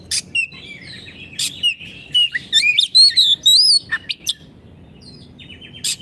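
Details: Oriental magpie-robin in vigorous song, intended as a model for caged birds that have stopped singing: a rapid run of warbled, rising whistles with sharp chips, fading into sparse notes and quiet hum.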